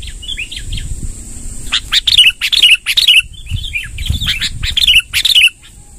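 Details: Rolling song of a sooty-headed bulbul, used to attract wild bulbuls: soft warbled notes first, then louder, harsh-edged chirps in rapid clusters, repeated about twice a second, with a steady high-pitched hiss behind.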